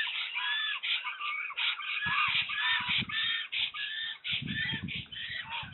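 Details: Black storks fighting over a nest in RDLP Łódź, Poland, on 15 April 2020. A new female attacks the male until he yields. Dense, continuous wheezy calls overlap, with bursts of low thumping noise in between.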